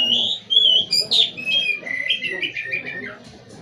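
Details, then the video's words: A prized caged white-rumped shama sings energetically: sweet sliding whistles, a sharp downward-swept note, then a fast series of repeated chirping notes descending in pitch, over a soft low hum. "KICAU BURUNG KACER"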